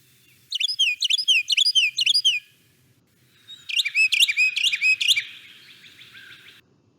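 Carolina Wren: two loud, ringing bursts of rapidly repeated three-part 'tea-kettle' phrases, bubbly and rolling, the second faster and trailing off.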